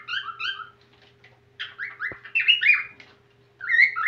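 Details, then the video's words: Whiteface cockatiel singing again after a pause, giving repeated two-note whistles, then a run of sliding, slightly harsh whistled phrases and a closing whistle. A steady low hum runs underneath throughout. "CALOPSITA (CARA BRANCA) VOLTANDO A CANTAR \ CANTO CALOSITA"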